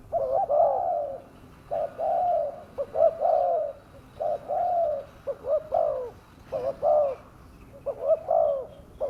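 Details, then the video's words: Spotted dove lure sound for drawing wild doves down: a steady series of phrases, each a quick double coo and then a longer falling coo, repeated regularly over a quiet background. "pikat burung tekukur suara ganas"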